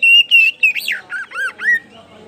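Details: Loud, clear oriental magpie-robin song in the ngeplong style of a kacer poci, used as a lure to get other birds singing: bright whistled notes, then a quick series of looping, up-and-down slurred phrases.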